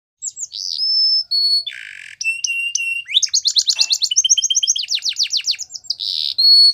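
A Belgian canary sings a varied, high run of pure whistles, a buzzy note and fast rolling trills, with some phrases rising and falling, and no other sounds.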